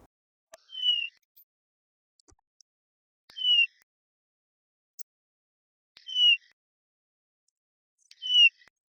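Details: In a large Welsh woodland in July, after the breeding season, a Eurasian bullfinch gives its soft, subtle call: four short piping whistles, each a brief falling note, about two and a half seconds apart against near silence.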